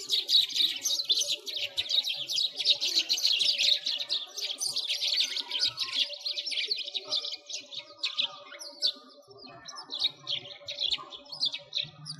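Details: A flock of sparrows chatters continuously in winter by a frozen lake in Bratislavsky Park, Moscow, Russia, 2022. Rapid, overlapping high chirps form a busy wall of twittering that thins out in the second half.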